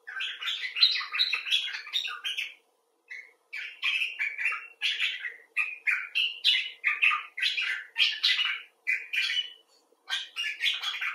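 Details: Long bout of common bulbul talk: busy, varied slurred chirps in quick clusters, one short pause near the start, carrying on energetically for over ten seconds.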